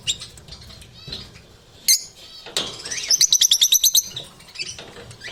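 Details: Scratchy rustling and a lone sharp squeak from lovebirds, followed by a quick rattling series of about ten piercing high notes, then softer scattered twitters.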